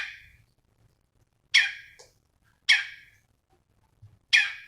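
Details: Cucak cungkok in full voice, used as tutor song for other cage birds: rasping, downward-sweeping calls given singly about every second, each ending in a fading tail, with faint low rumbling beneath.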